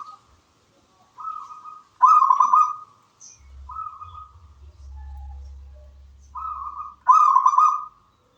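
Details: Zebra dove of local wild stock in full song, delivering brief purring coos and a louder trilled phrase, then a pause with low background hum before another bright rolling coo.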